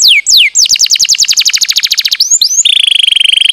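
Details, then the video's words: Canary pancingan song for stirring lazy birds into singing: two downslurred whistles, a fast rolling trill of rising notes, then a prolonged rapid buzzy trill. "Sekali putar kenari yang malas bunyi langsung nyaut di jamin gacor 100%"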